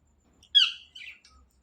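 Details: Indian ringneck parakeet at night giving one short, harsh, high squawk that slides downward, followed by a softer, scratchy second note, in a quiet room.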